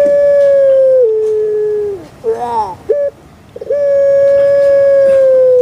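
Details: Puter pelung dove kept by its owner: a long coo stepping down in pitch, short rasping wavering notes and a clipped hoot, then another long, steady, drawn-out coo.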